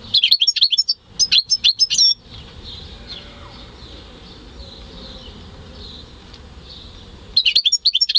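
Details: Home-bred European goldfinch × canary hybrid singing in May 2015: two bursts of rapid, high, sharp twittering notes, one at the start and one at the end, with a quiet stretch of low background hiss between them.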